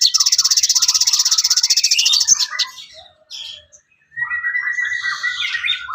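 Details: Training material for songbirds, sooty-headed bulbul: a fast, high chattering trill pulsing steadily for over two seconds, a pause, then a lower stream of short warbled notes.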